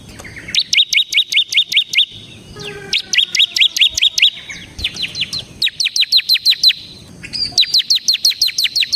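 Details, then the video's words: Bar-winged prinia in semi gacor ngebren style, played as a lure and tutor for training other songbirds, delivering rapid, even trills of sharp repeated notes in bursts about two seconds long, each separated by brief pauses. "suara burung CIBLEK SEMI GACOR Ngebren"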